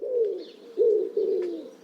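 Wood pigeon cooing: three deep, soft, hollow notes in quick succession, the middle one swelling loudest, with no other sounds.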